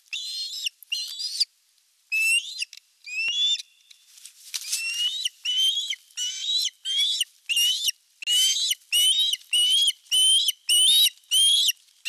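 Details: Osprey on nest #1 in Satakunta, Western Finland, on 19 July 2022, male arriving with a large fish, captured by nest cam: a long, steady run of high, slurred whistled chirps, some rising, repeated roughly every half second and growing louder.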